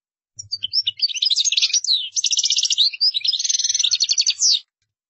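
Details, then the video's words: European goldfinch singing a qdara-style song: a continuous, fast, high twittering of tinkling notes, buzzy trills and rattling runs lasting about four seconds, with faint low thumps underneath. "تغريد مقنين قدارة"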